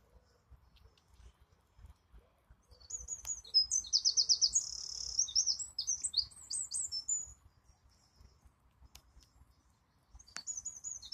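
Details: One sustained, piercing wren phrase with a fast rattling trill and quick descending notes, preceded and followed by near silence and faint ticks.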